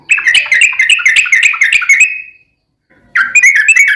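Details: Yellow-vented bulbul in energetic 'ropel' song: a two-second run of quick bubbling, warbling notes trailing off, silence, then a fresh rapid burst begins.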